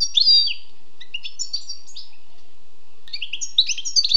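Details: Wild European goldfinch giving scattered high twittering notes and short liquid phrases, a silent gap of over two seconds, then renewed bright, slightly buzzy chirps.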